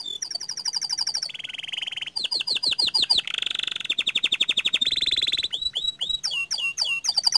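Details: Pied panda-variety canary singing energetically in the Indonesian ngerol style with long held phrases: rapid high trills change every second or so into lower buzzy rolls, clipped repeated notes and looping hooked whistles, with no other sounds.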